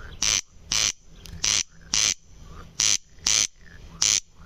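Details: Corn crake (Crex crex) calling insistently: a run of loud grating bursts in rough pairs, about one pair per second, with faint soft calls in the background.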